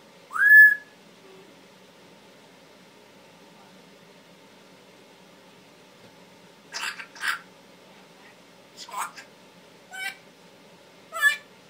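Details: Pet Timneh African grey parrot, male, indoors, giving a rising whistle followed after a long pause by a series of short harsh squawks and chatter notes in a quiet room.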